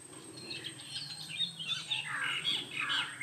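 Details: Jungle babbler heard while grooming: harsh, squawking chatter in quick, uneven bursts that grow louder toward the end, with faint calls of other birds in the background.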